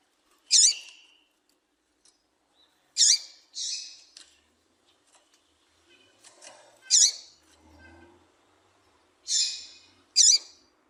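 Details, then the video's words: Female double-collared seedeater calling to excite and warm up males: short high chirps with a sharp V-shaped sweep, given in pairs and singles every two to three seconds, with faint low rustling between calls. "Melhor Piado de Fêmea de Coleiro para Foguear Coleiro tui tui"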